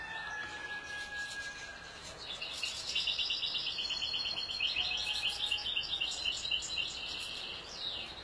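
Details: Song of a European goldfinch: a couple of thin drawn-out whistled tones open, then from about two and a half seconds a dense, lively twittering of quick high chirps and buzzy trills pours out steadily until the close.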